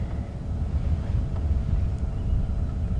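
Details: Heavy low engine rumble and wind buffeting from a vehicle on a sunrise safari drive; no animal calls.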